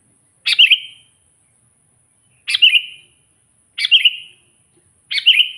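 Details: Sooty-headed bulbul provoking wild rivals: four brisk chirped phrases with a sharp start and a brief trailing whistle, spaced one to two seconds apart, over a faint continuous high tone.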